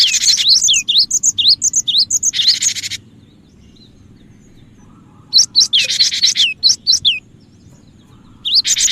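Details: Cinereous tit (gelatik batu), singing vigorously, used as a lure for other birds: fast high-pitched whistled chirps repeated about twice a second, broken by a harsh buzzy rasp, then silence and another burst of chirps.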